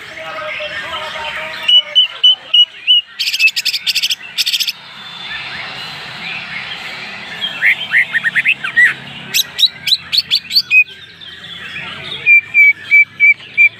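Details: Greater green leafbird of original Banyuwangi stock, with a rich varied song style called isian mewah: thin high whistled phrases, a burst of fast harsh rattling trills, then rapid chattering notes and clear repeated whistles near the end.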